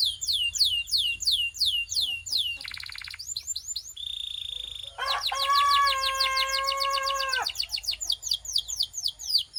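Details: Belgian canary in warm-up song: repeated downward sweeps, a short buzzy trill, a flat whistle, then a rich rolling phrase with layered lower tones lasting about two seconds.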